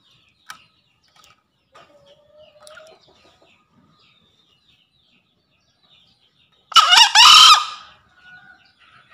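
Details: Male green junglefowl giving its lure call to a rival: a single short, hoarse, two-part crow, a harsh rasping burst, with faint thin whistles from small birds before and after.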